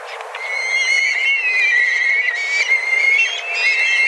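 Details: Black kites, a flock of dozens, flying about and calling intensely in search of food at a regular daily time; overlapping high whistled calls with wavering, slightly rising and falling notes, several birds at once.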